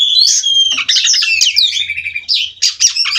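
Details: Rolling song of a captive-bred white-rumped shama from Cirebon, loud and dense, with piercing whistles, harsh chattering bursts and rapid note changes; soft low thumps behind.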